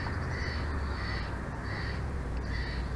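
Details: Bald eagle heard on a Big Bear Valley nest camera, home to a bald eagle pair, at 22:36 on 06/04/2024: four long, high, whining squeals, each close to half a second, separated by short gaps, above a low rumbling background.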